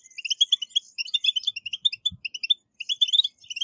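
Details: European goldfinch delivering a brisk 'batbata' twitter intended to set captive goldfinches singing; high, metallic chirps tumble in rapid sequence, pausing once, with a single soft low knock.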